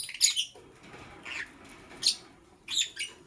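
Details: Lovebird chirping in the morning: three loud, scratchy high chirps spaced about a second apart, with a fainter lower squeak between the first two.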